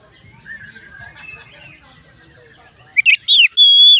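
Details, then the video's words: Oriental magpie-robin song aimed at getting other magpie-robins to sing: faint soft whistling at first, then loud sharp whistled notes and a long clear held whistle at the end. "dijamin Kacer lain ikut bunyi"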